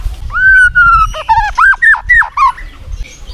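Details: White-rumped shama song played to rouse a sluggish murai batu: a long, level whistled note, then a quick series of falling and rising whistles. The sound is clear and ringing against a quiet background.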